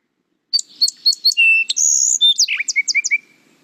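A Song Sparrow sings a bright, varied phrase: quick repeated opening notes, a steady whistle, a buzzy stretch, then a run of lower chips, all in about three seconds.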